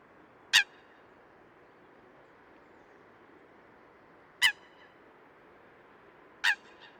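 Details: Eurasian coot (Fulica atra) calling in the wild: three short, sharp, explosive notes, each a single clipped blast, spaced several seconds apart over a soft steady background hiss.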